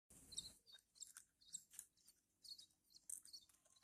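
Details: Horsfield's bush lark chicks being hand-fed, giving high, thin, scratchy chirps in quick bursts of two or three, repeated irregularly over a quiet background.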